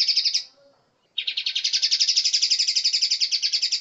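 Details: Bulbul (kapas tembak) singing on a master track used to train caged birds. A short high trill stops, then a dense rapid chatter of bright repeated chirps runs steadily to the end.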